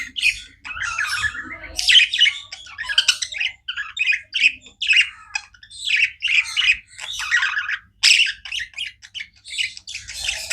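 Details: Non-stop budgerigar chirping: rapid, scratchy warbling phrases and sharp squeaky notes tumbling over each other in steady bursts, with only brief pauses throughout.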